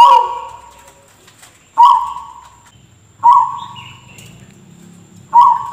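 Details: Zebra dove (perkutut) with a voice said to sound like a person coughing: four sudden rough bursts that each decay into a fading tone, spaced one and a half to two seconds apart, with a steady high whine behind.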